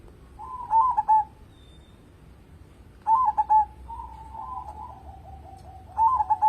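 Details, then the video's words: Eager local zebra dove singing, meant to lure other birds into song: clipped, bubbling coo phrases about three seconds apart, one followed by a long, soft, descending rolling trill. "burung perkutut lokal gacor cocok buat pancingan"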